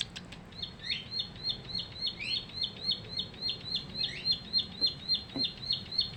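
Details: Bar-winged Prinia, newly caught and caged for three weeks, sings a long, steady string of bright, high chipping notes at about three or four per second, broken by occasional upward-sweeping notes, against faint low background noise.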